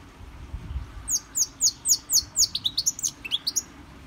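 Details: A goldfinch in a brass cage, trained with a CD, repeats bright, downward-sweeping high notes about four times a second, then breaks into faster, lower twitters.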